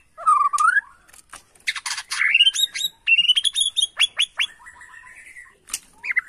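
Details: Agitated white-rumped shama from Borneo responding to a lure recording. A rising whistle opens, followed by harsh bursts, a chain of bright upslurred notes and a drawn-out wavering whistle.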